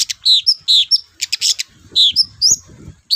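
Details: Long-tailed shrike in active song as a lure for sluggish shrikes: repeated short descending whistles alternating with buzzy chattering bursts, each phrase well separated.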